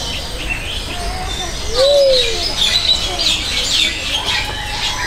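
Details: Luzon bleeding-heart at Jurong Bird Park, captured with a Sony FDR-AX700 and Rode VideoMic NTG: a single low, mellow coo arching up and down midway through, surrounded by busy high chirping of other birds.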